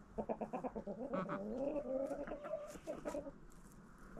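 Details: Backyard chickens eating a pumpkin treat in autumn: a quick series of short clucks gives way to a longer wavering, rising-and-falling call, then further scattered clucks.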